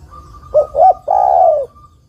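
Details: Female spotted dove calling the male: one phrase with two brief notes and a long, sliding coo, over a steady thin tone.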